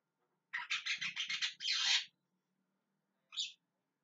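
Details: Javan myna giving a rapid series of harsh, stuttering squawks that merge into one long grating screech, then a single short call after a pause.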